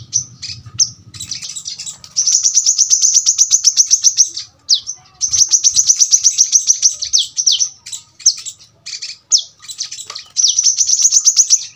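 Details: A brown-throated sunbird delivers its 'tembakan rapat' style song, intended for tutoring birds at home: bursts of shrill, rapidly repeated notes lasting about two seconds, separated by scattered sweeping chirps and brief pauses.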